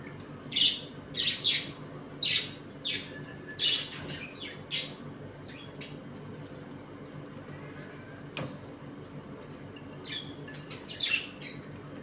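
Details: Budgerigars in a home colony eating, playing and sometimes fighting; scattered harsh squawks and chirps in short bursts, busiest in the first five seconds, with a steady low hum underneath.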